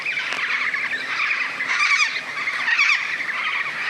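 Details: Major Mitchell's (pink) cockatoo in the Australian outback, heard near remote waterholes, giving harsh quavering screeches rising and falling in wavering bursts over steady scratchy calling.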